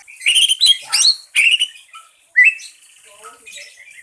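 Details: Green leafbird lure song meant to prompt other birds to sing: loud, varied whistles and sweeping, rising chirps in quick bursts, followed by quieter, scattered twittering notes.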